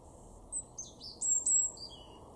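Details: European robin recorded in a garden in Weener, East Frisia, northwestern Germany, October 2022, delivering a thin, high, warbling phrase of sliding whistles that ends in a descending note, with low steady background noise.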